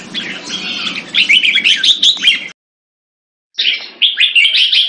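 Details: Red-whiskered bulbul competition bird kept in Singapore, caught mid-display. Fast, lively chirps and warbles run in two bursts, split by a sudden second of silence before the quick, bright phrases resume.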